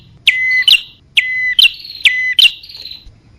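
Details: Bar-winged prinia lure recording meant to attract male and female birds: three loud phrases, each a sharp high note dropping into a held whistle, then a higher buzzy chirp, repeated about once a second.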